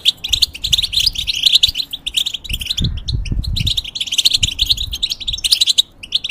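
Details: European goldfinch, a caged bird changing its feathers, singing bursts of rapid high twittering chirps and trills separated by short pauses, with low bumping sounds.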